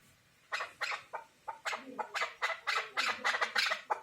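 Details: Chukar partridge calling: a rapid series of harsh, chattering notes repeated about three times a second, building into a dense accelerating run over a quiet background.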